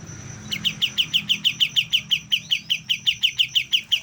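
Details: A young white-shouldered triller learning to sing delivers a steady, rapid chain of sharp, clear chirps, roughly three per second, after a short quiet start, with a faint high whine in the background.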